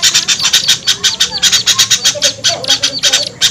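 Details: Lure call for attracting small birds: shrill, high-pitched chipping notes fired in quick irregular bursts, occasionally broken by brief softer squeaks, continuous across the short stretch.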